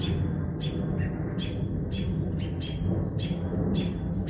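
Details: American robins mobbing and harassing an owl sitting in a tree; sharp, clipped calls repeat about every half second over a heavy, steady low rumble.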